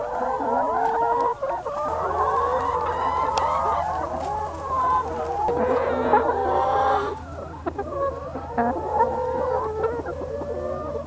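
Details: A young chicken flock ranging freely on a farm in Germany's Lower Rhine area. Continuous overlapping clucks and quavering calls are heard over a low steady hum that begins about two seconds in.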